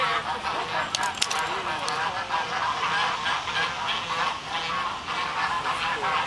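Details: Flightless Embden geese returned to Sullivan's Pond in Dartmouth on a March 26 morning after spending winter in care; harsh overlapping honks from several birds repeat irregularly, mixed with crowd chatter and a few sharp clicks.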